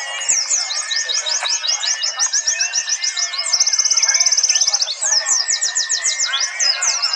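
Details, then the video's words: Several white-eyes at a national singing contest in Trenggalek, East Java, captured on an Android phone: dense overlapping high chirps and slurs throughout, with a fast buzzy trill running through the middle for over a second. "simulasi lomba burung pleci!! untuk melatih mental pleci bahan biar cepet gacor ,terapi pleci macet!"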